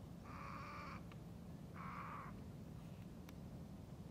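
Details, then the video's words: At the Izliv Soče nature reserve on 15 February 2024, a goosander (Mergus merganser) gives two harsh, nasal croaks, each about half a second long, over steady low rumbling background noise. "Mergus merganser VELIKI ŽAGAR"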